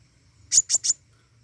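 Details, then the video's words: Pentis raja flowerpecker singing vigorously: three sharp, very high, dry chip notes in quick succession, about a tenth of a second apart, with a faint low hum behind. "burung pentis raja gacor"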